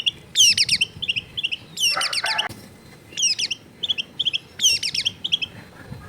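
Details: Long-tailed shrike (cendet) song with varied mimicked phrases, recorded in a busy residential area: bursts of rapid, high, looping twittering notes in clusters roughly every second, with a harsh scratchy burst near the middle.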